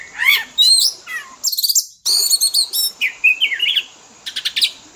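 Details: Fill-in song for training a pet Oriental magpie-robin: descending whistles and sweet warbles, an abrupt cut to silence near two seconds, then fast metallic trills and rising whistled phrases.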